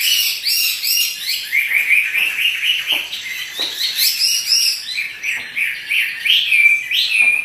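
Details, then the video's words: Caged Chinese hwamei, kept as a pet songbird and said to be singing vigorously while dancing, gives a continuous run of loud whistled and warbled phrases, slurred notes rising and falling with fast chattering trills mixed in. "Burung wambi (hwamei) gacor menari"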